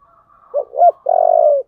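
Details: Spotted dove, singing in the 'giọng thổ' manner: faint murmuring, then two quick rising coos and a long buzzy, pulsing note that tapers off gently.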